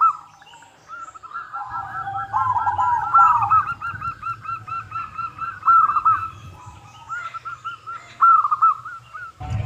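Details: Lure recording of a local zebra dove: long series of soft, clear cooing notes in hooked, repeated pulses, with low background hum and a thud at the end.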